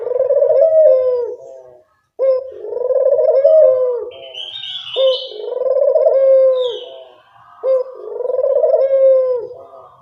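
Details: Lure recording of a Barbary dove to draw birds in: four rolling coos with brief gaps, plus a thin, higher chirping sound partway through.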